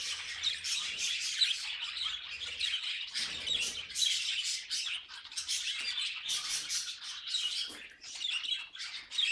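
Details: Budgerigars twitter in uneven bursts of raspy chirps and squeaks, with short pauses between the louder runs.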